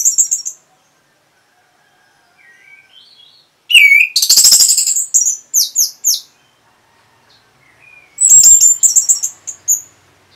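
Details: Orange-headed thrush from northern Bali reacting to a lure sound with loud high whistled phrases, quick slurred notes and short rattles, separated by quiet gaps.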